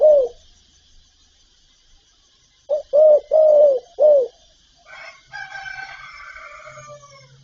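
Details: Spotted dove in a set of calling, urging and cooing: a falling coo, then a phrase of four round mellow notes, followed by a different harsh, drawn-out, wavering sound.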